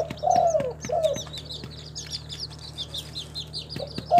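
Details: Spotted dove, a local tekukur from a kept collection in Timika, Papua, one soft low coo phrase with a drawn-out falling middle note, followed by steady high chirping from other birds and the start of another coo.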